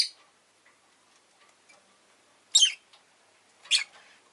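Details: Rosy-faced lovebird indoors giving three short harsh chirps spaced about a second apart, loud and broadband, over a quiet room with faint ticking.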